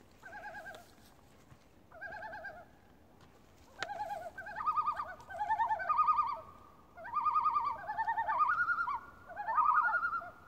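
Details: Common loon on Lake Beauvert near Jasper, Canada, giving quavering, warbled tremolo phrases about a second long, repeated in bursts with short pauses; later phrases overlap at two pitches as if two birds call together.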